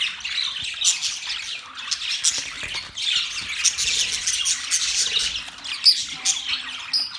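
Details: Several budgerigars, Australian parrots, chirping together: a dense, unbroken chatter of high, scratchy warbles and squawks that swells and dips in loudness, with a short lull near the three-second mark.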